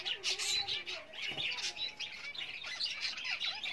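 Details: Java sparrows building a nest for breeding: dense, overlapping chirps and short squeaky notes, mostly high-pitched, with a few lower sliding notes mixed in, continuous throughout.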